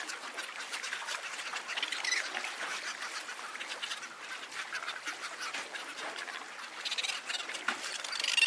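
Cape petrels keep up a dense, harsh chattering of many birds at once, rough cackling notes overlapping without pause, louder toward the end.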